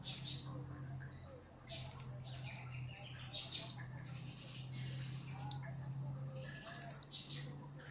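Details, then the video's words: Serindit, the blue-crowned hanging parrot, calling actively in a lure recording meant to draw a reply. Loud, sharp, high single notes come about every one and a half seconds between thin twitters, over a low steady hum. "Pancingan Suara Serindit Gacor Pasti Nyaut !!!"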